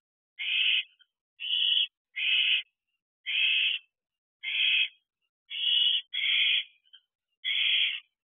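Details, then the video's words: Owls at a nest box late at night in late June, owlets still present, excited activity; a series of harsh, breathy screeching hisses at uneven intervals, some in quick pairs, in a quiet background. "Excitement at the Owl House."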